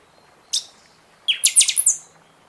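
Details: Buffy-fronted seedeater in full seasonal song, played to spur other birds after feather moult: a single sharp high note, then a ringing phrase of five or six quick, clear, metallic notes ending on a higher whistle.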